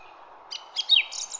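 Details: Brief burst of garden birdsong: a few quick, high chirps building to one loud, bright, downward-slurred note, then thin high twitters.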